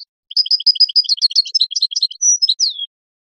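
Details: Goldfinch on a song tape for tutoring young songbirds: rapid rhythmic twitter of paired high notes, around twenty in two seconds, then a sustained bright note and a falling slurred whistle to close.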